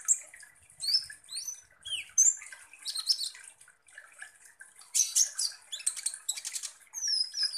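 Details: Sunbird singing as a lure meant to provoke konin birds: quick high slurred whistles rising and falling, broken by buzzy, scratchy chatter and a dense rattling burst near the end.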